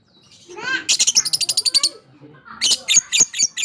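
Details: Fighter lovebird in long chattering (ngekek), meant to rouse lazy, silent lovebirds: a rising squeaky note followed by a rapid burst of high, harsh chips, a pause, then more scratchy chattering notes.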